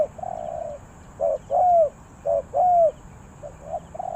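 A spotted dove coos in soft, hollow, mid-pitched notes: short-long pairs, then a quick run of short coos, over a faint background hiss.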